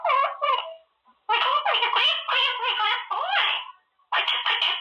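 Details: Pet male Quaker parrot practising new words in his cage, giving long runs of busy, gravelly chatter with rising and falling speech-like syllables, broken by two brief pauses.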